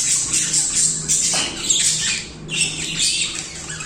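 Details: Pet budgies chattering nonstop, a busy stream of shrill squeaks, clicks and raspy trills in quick irregular bursts, with a short dip in the middle before the warbling resumes; low background hum.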